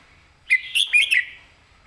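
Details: One crisp phrase of a caged red-whiskered bulbul's 'master song', clearly phrased: four or five quick, bright whistled notes that rise and dip, sharp and close, with a quiet background.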